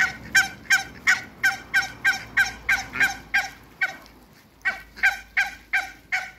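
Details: African geese, two pairs in a backyard with Muscovy ducks, honk in a rapid, fairly regular series of loud nasal notes that pause briefly near the middle and then resume at the same quick pace.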